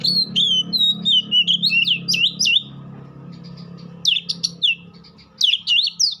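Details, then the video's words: Oriental magpie-robin singing fluid looping whistles that break into sharp rising notes, then pauses before two more short bursts; a steady low hum runs underneath. "Dengar kicauan Kacer satu ini dijamin langsung nyaut Kacer manapun"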